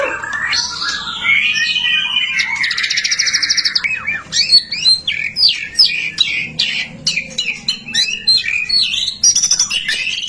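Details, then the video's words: White-rumped shama in full, energetic song, offered as a lure to set other shamas singing: a buzzy trilled phrase early on, then dense rapid strings of varied whistles, chips and twittering notes with hardly a pause. "Suara murai batu gacor AMPUH buat PANCINGAN murai batu agar BUNYI"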